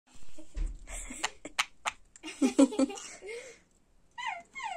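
A sun conure chatters with scratchy, breathy noises, then gives short bright chirps that rise and fall.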